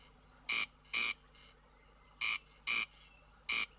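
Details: A corncrake in Swiss meadows at nightfall in summer gives its dry, rasping crex-crex: harsh doubled notes, five rasps in under four seconds, over a quiet night background.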